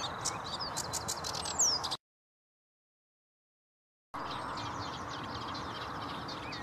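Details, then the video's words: A Sedge Warbler sings at Vange Marsh RSPB on 7 May 2016: hurried, chattering song with rapid clicks and a few sharp upslurred whistles, broken by a silent gap, over a steady rush of background noise. "Sedge Warbler"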